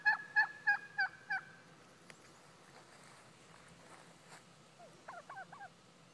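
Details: Wild turkey responding to hen calls made by mouth near a house: five clear, downslurred yelps in quick even succession, a quiet pause with faint clicks, then a few softer distant yelps.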